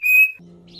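A cockatiel gives one clear, steady high whistle lasting about a quarter second, then a low hum and faint music fill the rest.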